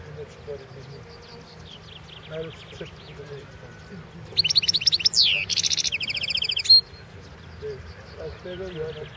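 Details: Goldfinch, Carduelis carduelis balcanica, singing for the 2016 world championship in goldfinch song. Midway a fast rattling trill bursts out, followed by a buzzy sweeping phrase and a sharp high whistle, over a quiet background.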